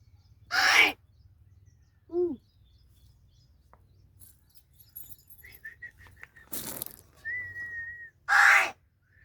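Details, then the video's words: Talking crow at Gargaon, Palghar, said to be angry and speaking in a different voice: short loud harsh bursts, a brief hoarse note, then a string of short whistled notes and a long flat whistle, with a man talking to it nearby. "गारगाव बोलका कावळा.. आज रागाने वेगळ्याच आवाजात बोलतो..New Vedio Palghar Talking Crow"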